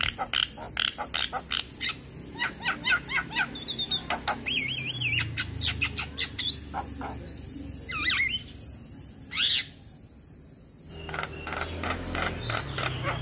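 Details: Male Javan myna lure song for mynas that are sluggish to sing or moulting: rapid regular clicks and harsh notes, then wavering whistled loops and squeaks, a brief pause, and renewed chatter under a faint hiss.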